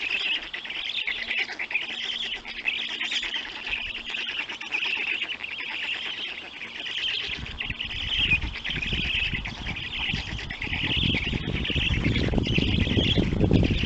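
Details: Feeding time at a black stork nest in Poland, caught by a nest camera on 31 May 2020, 3:55 p.m.: steady hoarse, buzzy calling in fast pulses, with rumbling wind-like noise growing louder in the second half.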